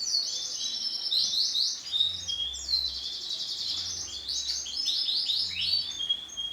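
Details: Female canary with vivid orange plumage: a busy run of thin, high twittering chirps and quick down-slurred notes, coming in clustered bursts over a low hiss.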